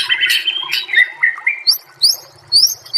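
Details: White-rumped shama song for mastering other shamas: loud rough, raspy notes first, then a few whistled tones and thin, very high upward-flicking chirps, faint low hum in the background.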